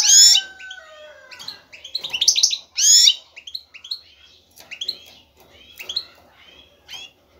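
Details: Excited male European goldfinch seeking a female for mating. Loud buzzy bursts and high twittering phrases follow a steady whistled tone at the start, then thin into scattered chirps.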